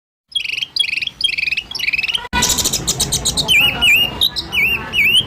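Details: White-rumped shama masteran training recording with coarse 'tembakan' bursts, used to provoke caged shamas into singing: repeated sharp downslurred whistles with high overtones, then an abrupt cut to a dense, buzzy stretch of rapid chattering and looping whistled notes.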